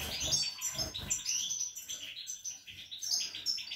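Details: European goldfinch twittering, recorded 28 March 2020 where a female already sits on new eggs beside three well-grown young; dense, rapid high chirps and trills tumble over one another almost continuously, with low thumps and handling knocks beneath.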